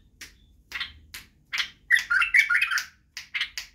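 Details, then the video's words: Tutoring recording for young bulbuls: separate sharp chirps lead into a quick, liquid warbled phrase, then more spaced single notes. "لتخريج وتعليم افراخ البلابل على التغريد و البرواز وطك الجناح بلبل بدراوي"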